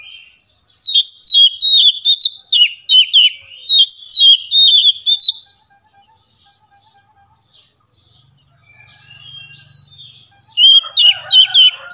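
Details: Oriental magpie-robin song played to lure silent or reluctant caged birds into singing: high, rapid, sweet whistled phrases in repeated bursts, then a lull with faint notes and a final burst of sharp, varied notes.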